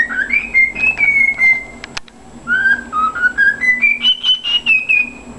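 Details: A pet cockatiel whistles the anthem of Santos Futebol Clube in clear, pure notes that step up and down in pitch, keeping the rhythm with its foot.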